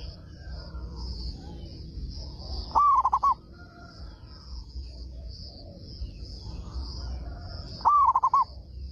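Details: Local zebra dove with a loud voice, singing often to draw answers from other doves, repeats its cooing phrase twice about five seconds apart, each a rising sustained note followed by quick choppy notes, over a continuous high-pitched buzz.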